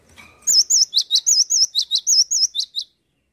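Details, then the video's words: Gelatik batu, the cinereous tit, singing loudly: a rapid sequence of roughly twelve high whistled notes, wavering trills mixed with short sharp downward chips, evenly spaced over about two and a half seconds, preceded by faint low rumble. "Gelatik batu gacor"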